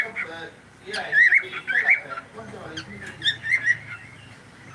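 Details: Pet cockatiel on a live stream giving clusters of sharp, rising chirped calls in two bursts, mixed with human speech and low indoor background hum.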